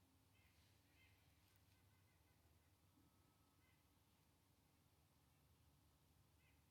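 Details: Nuthatches: short nasal, raspy calls, single or paired, every second or few, from two birds, one to the southwest and one to the northwest, over a steady low rumble of wind or distant traffic.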